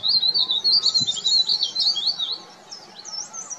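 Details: Verditer flycatcher singing loudly atop an oak in the spring Himalaya, earmarking territory ahead of breeding. A bright, very high warbling trill of fast rippling notes is loud at first, then fades into softer twittering phrases.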